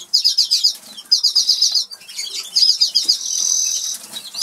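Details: Norwich canaries, two birds in an English aviary cage, singing and feeding; fast repeated trill bursts in quick series, then a long steady buzzy roll near the end.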